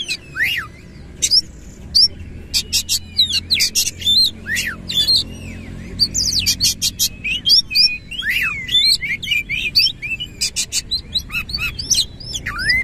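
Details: Oriental magpie-robin in vigorous rolling song with tail fanned: dense, fast stream of varied whistles, upslurs and downslurs, and sharp clicks and chips, nearly continuous, with a low background hum.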